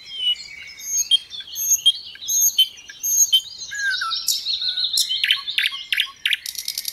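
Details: Sikatan londo (little pied flycatcher) in full, varied gacor song: repeated high thin whistled phrases about every seven tenths of a second, then a tumbling mix of slurred notes and sharp stacked chirps.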